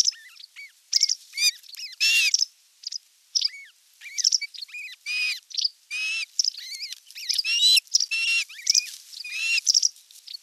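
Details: On 27 June 2022 a nest camera captures an osprey at the nest with a whole fish for dinner; a busy mix of short high chips, downslurred whistles and harsher harmonic calls in irregular succession.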